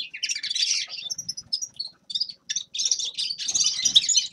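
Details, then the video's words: Grey-crowned goldfinch song in short bursts: a busy twittering opening, then scattered clipped chirps and brief whistles separated by pauses, and a final rush of tinkling, buzzy notes. "Седоголовый щегол Carduelis caniceps певчая птица طائر الاغنية"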